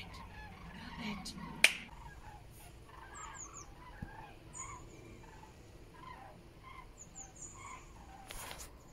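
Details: Common cranes flying over Frankfurt am Main-Preungesheim, Germany, heading west-southwest, 17 October 2023 at 14:45 under cloudy, hazy skies, smartphone recording; many short rolling trumpeted calls from a flock overlap throughout, with high thin chirps from another bird and a sharp click.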